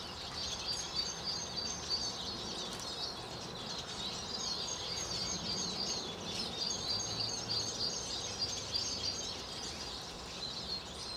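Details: At least 30 Eurasian siskins feeding at garden feeders and on the ground in West Wellow, Hampshire, March 2008, keep up a dense high twittering chatter of overlapping thin calls over steady background hiss.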